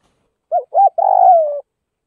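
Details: Spotted dove, Northwest Vietnam: two short rounded coos, then a long, buzzy, slowly falling croo, in a quiet setting.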